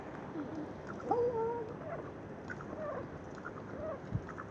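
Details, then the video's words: Crow making a weird, dog-bark-like "bu-ouuh" sound to scare ducks away from birdseed: one drawn, hollow tonal note lasting about half a second, with faint lower sounds and background rumble. "Crow making a funny sound"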